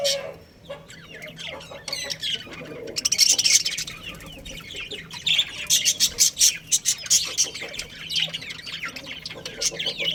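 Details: Colony of budgerigars with a breeding pair: scattered chirps build into fast rattling bursts of high scratchy notes in the middle, then softer warbling chatter.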